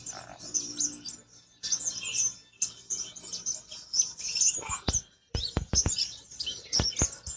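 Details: Black-winged flycatcher-shrike song: a busy stream of high, thin chirps and twittering notes with sharp knocking clicks through the second half.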